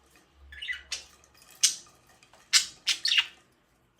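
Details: Budgerigar giving single sharp chirps and short squawky notes, spaced irregularly, indoors with a faint low hum.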